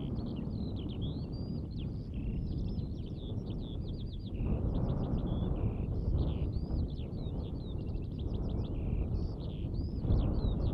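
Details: A Eurasian skylark in Latvia pours out an unbroken, high, rapid warbling song of chirps and trills, over a steady low rumble of wind or distant traffic.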